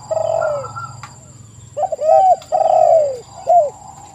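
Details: Spotted dove lure song: a fading drawn-out coo, a pause, then three clear downslurred coo notes, with a low hum beneath and a steady high whine above.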